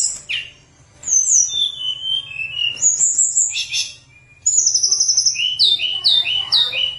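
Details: Energetic, flute-like tledekan gunung song meant to lure lazy birds into singing. Sliding whistles and a low buzzy run are followed by a silent gap, then a steady trill and quick repeated chirps.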